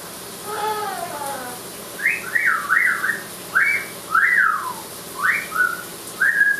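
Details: Talking Amazon parrot in a shower: one short speech-like phrase, then a string of sharp zigzag whistles, bright and rising, repeated roughly every second.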